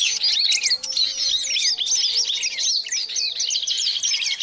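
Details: A lure recording of noisy small songbirds, used to attract small birds: a dense, busy, continuous chorus of high, rapid twittering and chirping from several birds, with no pauses.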